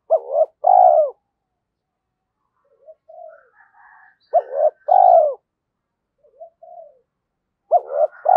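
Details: Decoy spotted dove in Vietnam, stimulated to coo quickly, in the thổ sấm voice style: three low, hoarse cooing phrases, each a short note then a longer rolling coo, with soft faint notes between them.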